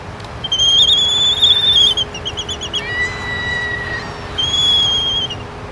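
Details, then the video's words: Laysan albatross (Phoebastria immutabilis) courtship calls at Ka'ena Point, Oahu, Hawai'i, December 30, 2012: long, clear, high whistles, a quick run of short pulsed notes, then a lower steady tone, over a soft hiss. "Laysan Albatross Courtship"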